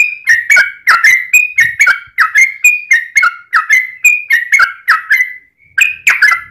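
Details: Lure song of a yellow-vented bulbul, intended to set other bulbuls singing: a steady string of clear, slightly falling chirped notes, roughly two per second, sustained for over six seconds.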